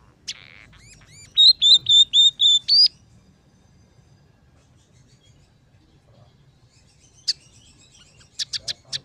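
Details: Scaly-breasted munia (emprit peking) training song: a brief soft chatter, then a series of six high whistled notes with slight upward bends, followed by silence and a few sharp chips near the end.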